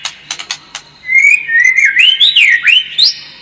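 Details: White-rumped shama lure song for making the bird more combative: four short clicks, then a long, loud whistled phrase that wavers and climbs in looping slurs before ending on a sharp upward note.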